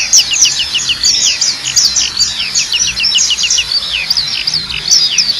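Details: Black-capped white-eye song for training a caged bird: rapid high twittering of slurred, descending whistled notes in continuous chattering phrases, steady throughout.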